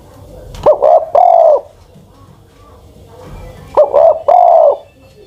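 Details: Spotted dove used as a ground decoy, an old bird aged ten-plus, sings twice: brief clipped coos followed by a sustained, slightly wavering low coo, phrases roughly three seconds apart over faint background noise.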